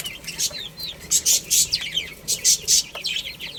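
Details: Baby chickens playing and eating: a flock of high, short downward-slurred peeps overlapping rapidly, broken by loud, hissing scratchy bursts, probably pecking at feed.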